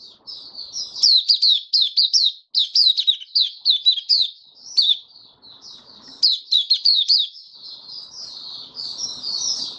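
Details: White-eye kept in a cage, opening song recorded 23 March 2022 amid warm humid weather: bright, high chirping notes strung into rapid runs, a short break near the middle, then fainter twitters.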